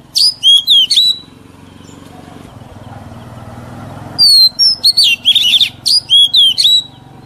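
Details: Oriental magpie-robin, an old wild-caught bird, giving short bursts of sharp whistled and twittering notes, a rumbling pause, then a rapid series of about ten quick phrases; song for teaching young birds to sing.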